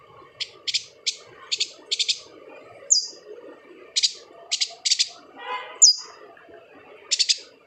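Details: Lively yuhina song from Kalimantan, used to train other cage songbirds: repeated bright double and triple chirps, high and crisp, broken by two piercing downslurred whistles and a brief buzzy note, over faint lower twitter.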